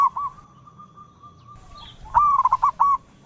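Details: Local zebra dove song: a long steady whistled tone, then a quick run of stuttering rounded coos ending on a held note.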